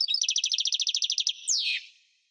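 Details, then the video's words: Singing European goldfinch: a fast even trill of about fifteen repeated chirping notes, then a loud descending buzzy slur. "Singing goldfinch - Chant chardonneret parva"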